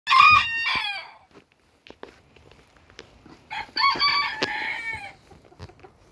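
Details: Booted Bantam rooster crowing twice: a harsh, harmonic-rich cock-a-doodle-doo near one second long, a quiet pause with faint clicks, then a second longer crow with a falling drawn-out ending.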